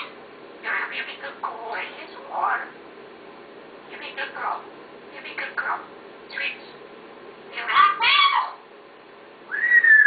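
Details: A talking parrot chatters in many short, raspy, word-like syllables, with a louder squawky phrase near the end and a final clear whistled note.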